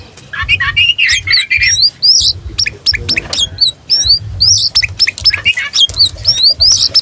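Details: Oriental magpie-robin, a tame bird in full song with tail spread, used to provoke rival magpie-robins or as a tutor: harsh scratchy burst at first, then sharp clicks and quick curling whistles, loud and varied, over low rumbling background noise.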